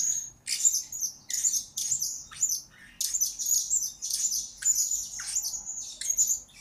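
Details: Shrill, squeaky high twitters from a blue-crowned hanging parrot used to train lure birds, in short bursts of roughly half a second repeated steadily, with some harsher squawk-like notes.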